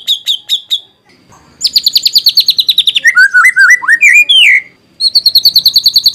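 White-rumped shama singing loudly: bursts of rapid high chips alternate with rich, wavering whistles that swoop down and up, with brief pauses between phrases.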